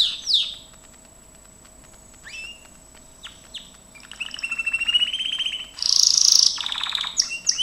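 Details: Gloster canary, training session: a few scattered high chips over a quiet stretch, then the song builds into rapid high trills and a loud dense buzzy roll near the end.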